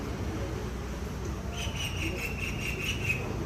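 A common myna gives a quick run of high, bright chirps over the last two seconds, above a steady low rumble of background noise.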